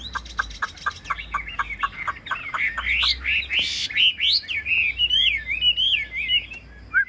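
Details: Caged Chinese hwamei, a tame bird about 85 to 90 percent accustomed to people; a series of sharp repeated notes about twice a second, then loud varied whistled phrases sweeping up and down, over a low steady hum.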